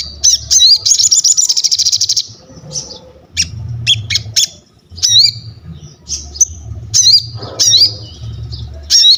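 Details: A crested jay starts with a long, rapid high rattle, then gives a series of sharp, squeaky upslurred whistles and chips, each separated by short pauses, over a low rumble.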